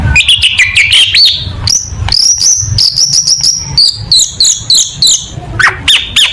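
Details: Long-tailed shrike singing a loud, busy tutor recording used as contest material: rapid bursts of sharp, varied whistles, slurred rising and falling notes and clipped chattering phrases, packed closely with barely a pause throughout.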